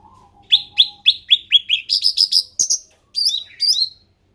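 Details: Grey-bellied bulbul, an endemic bird known locally as cucak ranting, singing a series of clear, rising whistled notes about three per second, followed by higher, buzzier trilled phrases and two final warbled notes. Background is quiet.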